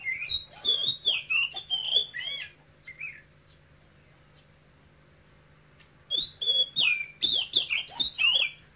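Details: Caged male oriental magpie-robin from Cambodia: a fast run of loud warbled and whistled notes, a soft call, a silence of about three seconds, then another energetic phrase of sliding whistles over a low hum.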